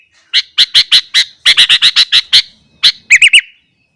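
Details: A sooty-headed bulbul sings hard at morning to provoke other bulbuls: a fast, even series of about twelve sharp, loud chips, one after another, closing with three quick, rolling, lower warbled notes.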